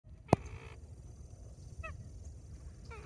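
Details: A little blue heron calls while flying at Orlando Wetlands, Christmas, Florida, giving a few short, harsh, nasal croaks about a second apart, over a low wind rumble after one sharp click.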